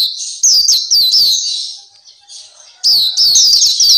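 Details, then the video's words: High-pitched twittering of a Black-capped white-eye (Pleci Papua) from a training recording: a burst of fast descending notes, a faint quiet gap, then another energetic run of thin slurred chirps. "Terapi Masteran Pleci Black Capped/Pleci Papua"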